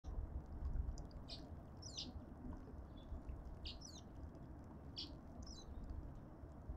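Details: Cut-throat finches at a suburban garden feeder in Pretoria, South Africa, give short, high chirps in loose pairs spaced about a second apart, over a steady low rumble of background noise.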